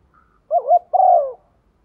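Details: Morning cooing of a female spotted dove decoy calling males: one phrase of a short, wavering double coo followed by a longer, smooth, slightly falling coo, in a quiet setting.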